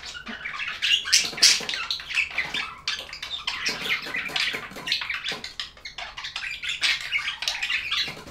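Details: Budgerigars chirping in a dense, continuous stream of high, scratchy warbles and short squeaks, overlapping and irregular, with no other clear sounds.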